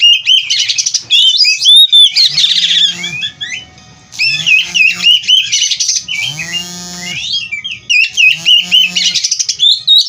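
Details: Oriental magpie-robin (kacer) from a breeding farm, singing 'gacor full isian': rapid varied whistles and buzzy bursts, broken by lower, harsh nasal drawn-out notes midway, then more fast warbling.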